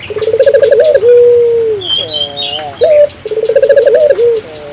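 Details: African collared dove in vigorous voice, played to stimulate other doves: a pulsed rolling trill leading into a long falling coo, quiet wavy notes and a short burst, then the trill again, with faint chirps above.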